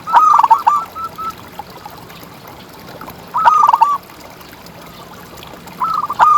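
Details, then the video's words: Perkutut, the zebra dove, a local contest bird used to train and excite other doves; rapid bubbling coo phrases with trailing short notes, repeated roughly every three seconds, over soft continuous hiss. "Perkutut Juara Gacor Ngalas"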